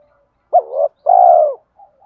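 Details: Single fighting coo of a spotted dove, played to draw wild doves to a trap: a brief hooked note sliding into a softer rising tail, a short gap, then one long, steady, slightly falling coo.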